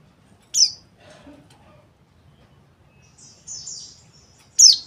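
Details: Caged white-eye calling: a sharp high chirp, a short thin warbled phrase later, and another loud piercing chirp at the close, separated by quiet stretches.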